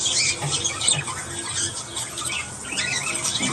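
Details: Morning chorus of budgerigars, dense high-pitched twittering and scratchy chirps running without pause, with faint low rumbling underneath.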